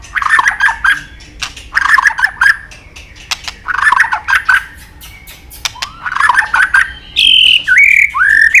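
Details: White-rumped shama in a training recording of long, varied song mixing forest voices: several short warbled phrases repeated about every two seconds, ending in clear sliding whistles.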